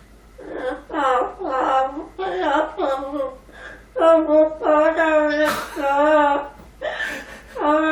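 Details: A pet Amazon parrot kept indoors by sudden cold weather imitates human crying on waking in the morning, its owner says fake crying, with wavering, sobbing, voice-like wails in repeated bursts while a man speaks to it.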